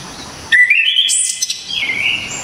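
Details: Orange-headed thrush (anis kembang) from Java giving one hard, clear song burst: a rising whistle climbing in steps, a sharp high rasp in the middle, then a softer warbled tail.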